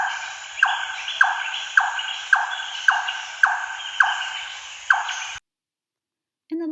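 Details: Large-tailed Nightjar, a northern bird reaching parts of Queensland's Sunshine Coast, giving a steady run of hollow, knocking 'chonk' notes, about two per second, nine in a row, quite unlike the White-throated Nightjar; a voice begins briefly afterwards.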